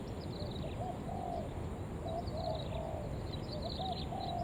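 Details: Caged lure spotted dove, 'Đồng Vấp' style, in an urging call meant to bring in wild doves; several short, soft coos in quick succession, while thin high chirps from other birds sound over persistent low rumble.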